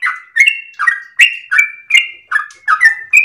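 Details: Sooty-headed bulbul singing at dawn as a cage-bird training lure: short burst of warbled, falling chirps each closing on a steady whistle, close and loud with no background sound.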